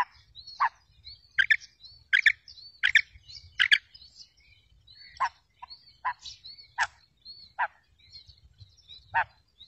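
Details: Female quail calls meant to draw in quails for trapping: a busy run of sharp, harsh double chirps, then lower, single raspy notes. Brief upslurred whistles weave through the sequence.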